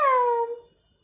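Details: Single imitated word from a talking Alexandrine parakeet that says "Ram Ram": a clear, harmonic, slightly falling tone that starts abruptly and fades out after about half a second.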